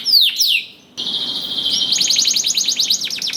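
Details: Singing canary meant to prompt other canaries to sing: falling whistled slurs, a brief pause, then a long steady high trill breaking into quick repeated chopped notes.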